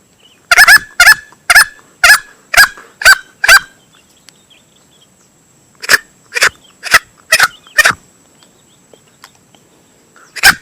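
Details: Male green junglefowl lure sound for hunting: seven rasping calls in a quick run, about three seconds of quiet, then six more, and a single call near the end.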